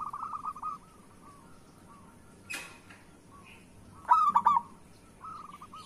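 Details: Local zebra dove (perkutut) singing a lure song to rouse lazy doves. Soft rolling coos open the passage. A sharp knock breaks in, then a loud burst of quick stuttered coos and a final soft trill follow.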